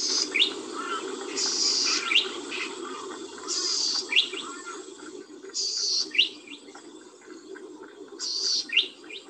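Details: Golden-headed Cisticola along Merri Creek, which sings from the tops of grasses or small shrubs in spring: a high, insect-like buzz followed by one or two sharp, liquid plinks (bzz, tick, plink), repeated about every two seconds over a low background hum.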